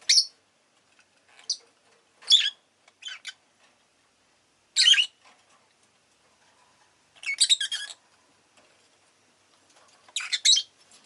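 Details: A rosy-faced lovebird (Agapornis roseicollis) gives sharp, high, harsh chirps in short bursts, some run together into rapid scratchy chatter, with quiet gaps, over background city noise of cars, motorbikes and bicycles.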